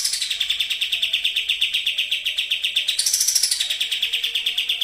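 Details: Sooty-headed bulbul bait song in fast racing style, meant to make other birds sing: a shrill, rapid chatter of repeated notes about four per second, starting high and dropping, then a brief higher burst midway before settling back.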